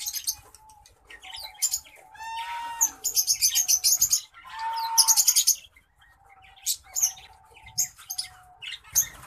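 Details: A zebra finch pair, a male orange-breasted black-faced bird and a female Isabel, with one singing a quick, buzzy song of nasal stacked notes and harsh rasping bursts.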